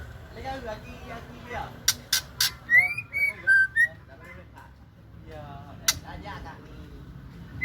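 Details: Female white-rumped shama giving a run of clear, slurred whistles that rise and fall, with clicks before them and faint human voices at the start.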